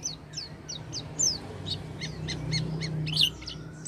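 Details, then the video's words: Oriental white-eye song played to encourage a quiet white-eye to sing: a fast series of thin, high, falling chirps over steady background noise, with lower notes repeating in the middle. "pancingan pleci macet bunyi dengan suara ini"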